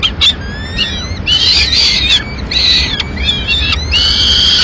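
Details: Madrid, 21 May 2016: a peregrine falcon female tears up a pigeon for the two chicks left in the nest. Thin rising squeals open the clip, followed by drawn-out, harsh, harmonic screeching cries.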